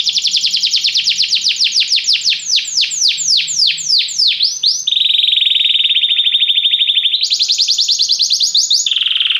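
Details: Canary song used for canary training: accelerating downward-sweeping notes, then a long even rolling trill that jumps higher and finally drops lower.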